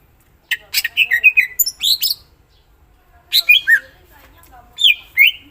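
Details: Cucak ijo, the greater green leafbird, singing 'gacor' with varied 'isian' material. A quick run of bright slurred whistles and chatter is followed by two shorter bursts of high, twisting notes after pauses.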